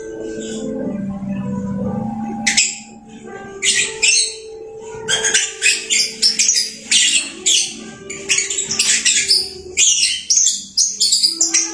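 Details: Pet lovebird: after a low droning start, shrill chattering begins and quickens into a run of rapid squeaky bursts, several per second toward the end.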